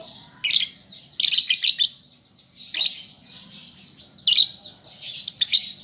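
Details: Young lovebird learning its song: clusters of shrill, scratchy chirps broken by short pauses, with buzzy trills between the louder bursts, all high-pitched and irregular.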